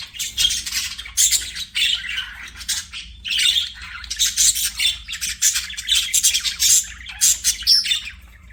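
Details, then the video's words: Budgerigars singing while playing, a dense run of harsh, buzzy chirps and squawks bursting out several times a second in near-continuous chatter, over a faint low hum. "BUDGIES SINGING PLAYING"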